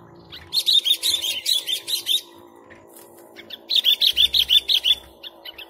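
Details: Sooty-headed bulbul (kutilang), chatty 'gacor' song meant for luring birds: two fast runs of about a dozen sharp, bright notes each, separated by a short pause with a few scattered chips.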